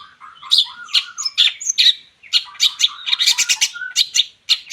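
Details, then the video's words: Long-tailed shrike singing a lively, varied song used as a lure to draw other birds into song: dense mix of harsh chattering notes, short whistles and rapid chirps, with brief slurred phrases near the start and quick clustered bursts later. "CENDET GACOR COCOK UNTUK PANCINGAN"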